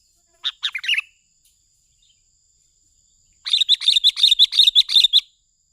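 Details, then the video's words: Sooty-headed bulbul lure call used to attract birds: three quick chattering notes, a pause of over two seconds, then a fast run of about a dozen bright, buzzy repeated notes, with a faint steady high tone throughout. "Suara Pikat Burung Kutilang Gacor Cocok Untuk Masteran Cepat Bunyi"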